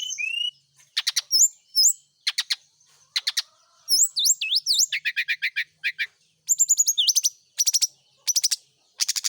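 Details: Morning song of a kept brown-chested jungle flycatcher during dew exposure meant to encourage frequent singing: varied bursts of clicking trills and slurred upward and downward whistles, quickly switching between phrase types.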